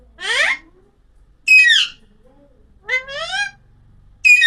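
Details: An Alexandrine parakeet (Psittacula eupatria) gives four harsh, rising squawks at uneven intervals, each rich in overtones and about half a second long, with quiet pauses between.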